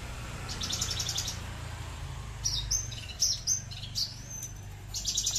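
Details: Kept Horsfield's bushlark, aliena type, singing in a style compared to leci Bali or Mataram; a faint high trill, then a run of quick, very high chirps and short buzzy notes, with a constant low rumble behind.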